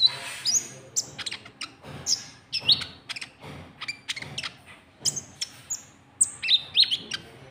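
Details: Lure call of a white-cheeked bulbul, meant to provoke rivals: rapid run of thin chips mixed with clear high whistles that bend upward, almost continuous chatter.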